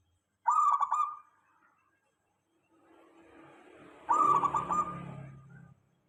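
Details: Zebra dove of the local type, played to bring other doves into calling: a clear stuttering coo phrase, then after a pause a second phrase mixed with a low rumbling background noise.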